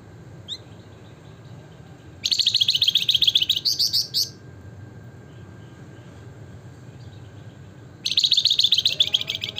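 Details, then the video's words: Javan fulvetta (flamboyan, wergan jawa) in gacor nembak ngebren nyiul song: after a faint note, a dense, high, rattling chatter runs about two seconds. Quiet follows, then another rapid chattering burst begins near the end. "flamboyan gacor nembak ngebren nyiul - wergan jawa/Javan fulvetta"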